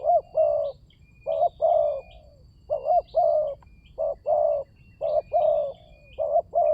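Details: Spotted dove used as a lure call for trapping: deep, hollow cooing in short phrases of two or three notes with pauses between, one note sometimes trailing downward; faint high chirping of other small birds behind.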